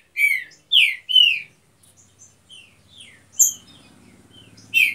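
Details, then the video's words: Three strong, downslurred whistles open the clip from a green-winged saltator of a breeding pair in an aviary, followed by softer scattered notes and another loud whistle, over a faint low rumble. "TRINCA DANDO SHOW NO VIVEIRO"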